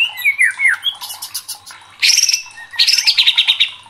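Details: Murai batu, the white-rumped shama, singing agitated 'gacor' song meant to rouse fighting spirit in contest birds: sliding whistled notes give way to harsh buzzy chatter, then rapid repeated bright chips.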